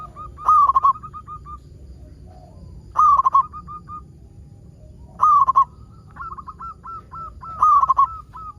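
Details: A local zebra dove sings to set other zebra doves singing. Four loud, quavering, bubbly coo phrases come at steady intervals, each followed by a trail of short, softer repeated coos.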